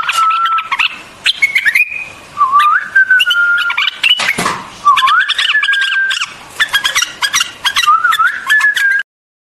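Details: White-eared bulbul singing for relaxation: clear whistled phrases stepping up and down in pitch, interspersed with quick chirp bursts and one broad noisy thump.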